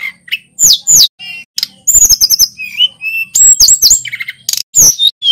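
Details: Local male Sulingan gunung from Pacitan in full, rolling song, delivering fast bursts of high sweeping whistles, clipped chirps and short steady notes, phrase after phrase with only short gaps.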